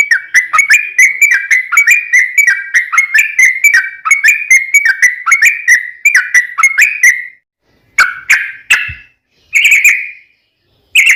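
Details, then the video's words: Sooty-headed bulbul in long rolling song used to lure other bulbuls into singing: a rapid, steady string of whistled, slightly falling notes for seven seconds, then scattered short bursts with gaps. "trucukan gacor ROPEL PANJANG buat pancingan trucukan agar bunyi"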